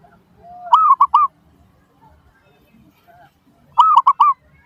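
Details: A zebra dove sings a lure meant to set off replies from other doves. A soft, low lead-in note comes before a bright three-coo phrase, and a second phrase follows three seconds later.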